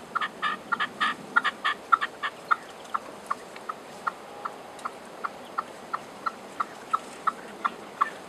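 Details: Red-legged partridge singing in the hills above Genoa, Italy: harsh, chuffing chuk notes, first in a quick clustered burst, then settling into a steady beat about every third of a second.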